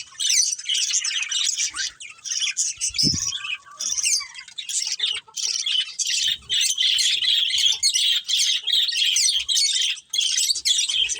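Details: Budgies of a breeding pair and colony keep up rapid, scratchy high chatter and squawky chirps for many seconds, with one short low knock partway through.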